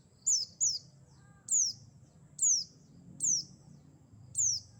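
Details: Lure call of a Mountain white-eye of the buxtoni subspecies, played to trap birds: six sharp, high-pitched descending 'tsee' notes, an early quick pair then evenly spaced singles about every second, over a low rumble.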